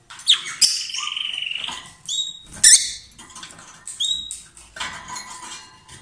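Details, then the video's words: A pair of lovebirds sings loudly with shrill chirps, brief whistled notes that fall in pitch, and quick squeaky bursts repeated through the passage. "Gli inseparabili | 20minutes Love birds Sound"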